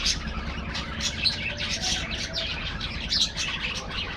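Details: Budgerigars in an aviary colony chattering steadily: overlapping high chirps and soft warbles, with a few thin whistled notes standing out.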